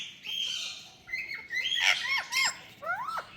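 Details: Parrot, possibly a talking ringneck, chatters in quick bursts of shrill squawks and short whistles, several sliding sharply downward, about two notes a second with uneven pauses.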